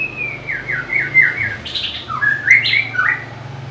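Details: White-rumped shama singing a string of clear whistled notes. Short descending slurs near the start repeat quickly, then the song shifts into higher, varied phrases with a few sharp, bright accents. The bird is loud and close, with a low hum underneath.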